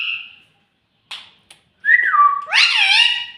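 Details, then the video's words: Pet talking parrot, a green bird said to say "mummy" and "mitthu": a short clear whistle, soft clicks, a falling whistled tone, then a loud buzzy, speech-like syllable wavering in pitch. "Ye mittu mummy bolne wala tota [] Talking Parrot [] mitthu mitthu"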